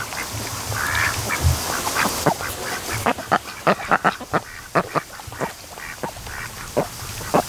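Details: Raised ducks, on their ninety-second day, lazing in the afternoon sun at a lake by the mouth of a creek, mostly sleeping and sometimes mating; a run of short, harsh quacks comes in uneven bursts over steady background noise.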